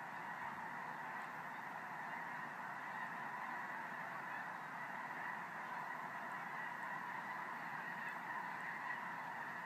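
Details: Thousands of geese flying overhead at night honk together in a steady, overlapping chorus of nasal calls that never pauses, with no other clear sounds.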